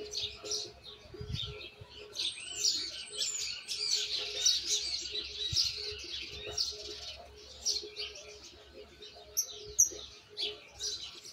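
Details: Argentine white jilguero fledgling learning misisipi song: prolonged rambling twitter of high chirps, buzzy trills and thin whistles, building toward the middle then thinning out, with a faint low hum throughout.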